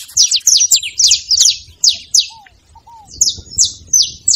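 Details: Saffron finch in fine song, played to get a cold canary singing: a rapid string of high, sharp, buzzy chirps, then a pause with two faint lower slurred whistles, then more evenly spaced chirps.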